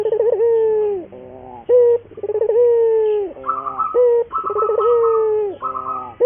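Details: Cooing song of a local puter dove used to train doves to sing: rolling low phrases ending in long falling coos, punctuated by short coos, with a buzzy higher trill overlapping later phrases.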